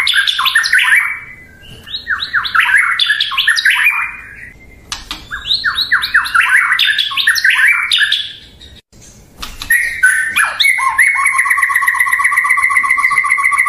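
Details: Long stretch of white-rumped shama song: bursts of rapid, tumbling descending notes in repeated phrases separated by short pauses, ending with a sustained buzzy whistle.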